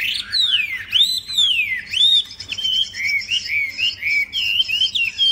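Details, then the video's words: A tame captive Chinese hwamei sings loud, rich whistled phrases that slur up and down and run almost without pause. The notes are clear and high, with some harsher twittered notes between them. "Họa Mi thuần đẹp hót hay"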